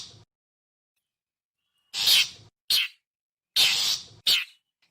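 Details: Cendet, the long-tailed shrike, giving its lure call: two pairs of harsh, hissing rasps, each a longer grating note followed by a short one, after a quiet pause.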